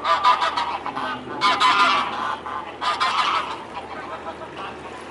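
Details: Mute swans on the river Elbe in Dresden, 17 May 2017, early afternoon; rough, nasal honks come in irregular bursts through the first half, then fade into a quieter murmur of background noise.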